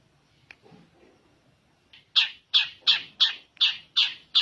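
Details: Energetic long-tailed shrike copying the tengkek bird: after a quiet start, loud harsh squawking notes repeated steadily about every 0.4 seconds, each starting sharply and fading.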